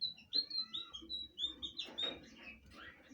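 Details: Blue flycatcher song of sweet, high whistles, several drawn-out and slightly falling, followed by quicker, softer twittering notes.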